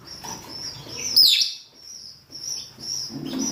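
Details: Rosy-faced or Fischer's lovebirds, males and females calling to attract mates: one sharp, shrill, piercing shriek near the middle, over a bed of faint high chattering and soft thin chirps.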